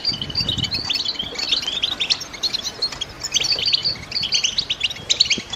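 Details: Female European goldfinches in a cage chatter to rouse a male toward breeding-season song; overlapping quick, high twittering notes come in waves, with faint low noise near the start.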